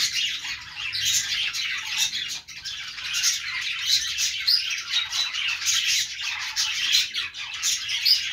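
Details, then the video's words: Budgerigar chirping, a busy mix of rapid scratchy tweets and short squawks layered on one another, loud and unbroken, with a brief dip near the middle. "budgies sounds | parakeet chirping sounds"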